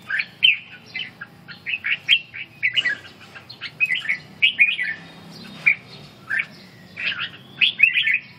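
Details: Red-whiskered bulbul in ché song training while recovering stamina, giving a long series of short, lilting whistled phrases, chirpy and bouncing, repeated steadily with brief gaps throughout.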